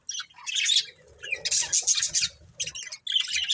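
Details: Budgerigars giving loud, rasping chirps and squawks in short bursts separated by brief gaps, with a softer warbled murmur between calls.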